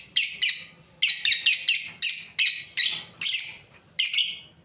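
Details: A breeding pair of lovebirds chirping: sharp, scratchy high notes delivered in rapid doubles and runs, with brief pauses, and a quiet hum in the background.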